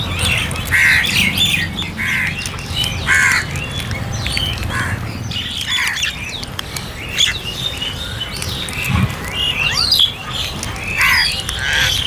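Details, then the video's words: Feeding crows giving rough, squawking caws in short runs, mixed with sharper chirps and twitters from smaller birds and a low background rumble. "Crow Sounds For Food"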